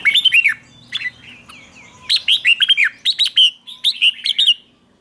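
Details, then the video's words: Red-whiskered bulbul kept as a lure bird, singing to call in wild bulbuls: bright, bouncy whistled phrases of quick arched notes, given in three bursts with short pauses between, clean recording with little background noise. "Chào mào mồi gọi bổi không tạp âm, tiếng chào mào mồi gọi là đến"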